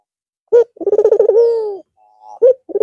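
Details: White red-eyed Barbary dove singing again following a long holiday rest at Eid al-Fitr. A single complete coo: short sharp note, fast bubbling pulses, then a steady, sinking drawn-out tone, with the next coo just beginning.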